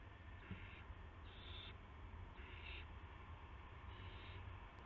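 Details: Owl at a nest after midnight on 19 March 2016, as adults bring mice and a gopher to the owlets. Four short, scratchy hissing bursts come about one second apart, with a low rumble underneath and a faint click.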